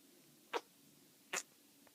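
A sun conure makes two short, sharp kissing smacks about a second apart.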